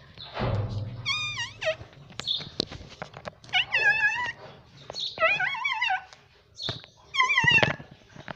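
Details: Pet parrot talking nonstop, repeating words in clear, speech-like bursts with wavering, whistled harmonic tones, pauses of about a second between phrases.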